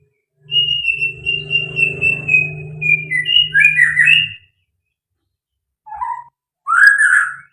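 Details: Murai batu (white-rumped shama), 'fighter full materi', holds a long, gradually falling whistled note over a steady low hum, then breaks into tumbling whistles. Two separate lower, rougher phrases follow after a pause.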